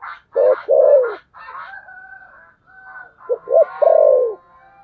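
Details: Spotted dove giving a fighting coo, called thổ sấm gù: two short clipped notes and then a long, full, falling coo, heard twice. Fainter bird calls and softer tones fill the gap between the phrases.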